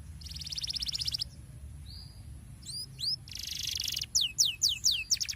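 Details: Canary song used to prompt other canaries to sing: buzzy rattling trills, a short whistle, then sharp downslurred sweeps repeated about every half second, with steady low background hum.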